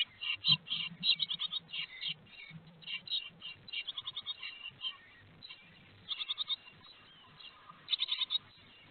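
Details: Nestling great tits begging at the nest in Théding, France, on 18 May 2022 as food is brought, producing bursts of fast, high, buzzy chirps separated by brief pauses.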